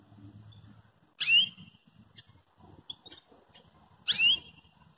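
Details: Belgian canary calling as a prompt to train another canary's singing: two loud, sharp downward-sweeping tweets about three seconds apart, with faint short chips between and a low murmur underneath.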